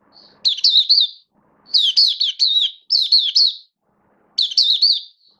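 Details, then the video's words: Oriental white-eye, a kept bird singing on 19 September 2022, gives four bursts of rapid, high, twittering warbles. The bursts rise and fall quickly and are separated by short pauses, with faint low background noise between them. "Mata Puteh V2 Raja Buka Sing Build Up Form"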